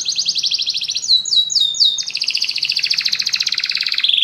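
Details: Many canaries singing together after hearing music: a fast buzzy trill, then a few rising-falling whistled swoops, then long rapid rolling tours that slide lower and rise again, with a faint low hum underneath.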